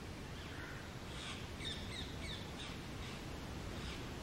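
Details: A very hungry female rose-ringed (ringneck) parakeet, being fed, gives a quick run of thin, squeaky begging notes, about five in two seconds, over a steady low background rumble.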